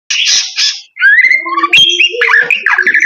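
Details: White-rumped shama singing loudly: two harsh, buzzy bursts, a short pause, then a varied run of clear whistled notes at shifting pitches, some gliding upward, mixed with sharp clicks and rasping fragments.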